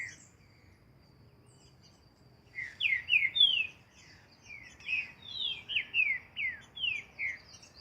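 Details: Green-winged saltator singing in nature during training, a series of loud descending whistled slurred notes repeated rapidly after a quiet opening, with faint high chirps above.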